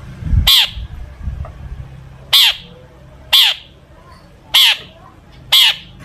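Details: Long-tailed shrike calling in a mimicry-filled performance used to provoke other shrikes to sing; harsh downslurred notes repeated roughly once a second, with low rumbling noise at the start.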